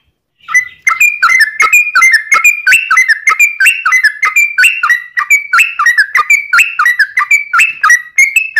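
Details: Sooty-headed bulbul song as a lure for other bulbuls: a steady, continuous stream of liquid, bubbly notes, repeated several times a second with gently rising and falling pitch.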